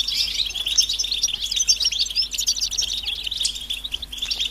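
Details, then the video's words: Mating and readiness calls of the European goldfinch, used to get males singing: an unbroken stream of high, chattering, tinkling twitters and rapid trilled notes over a quiet background. "بتبتة الحسون علاج سكوت الحسون نذاءات التزاوج والتجهيز"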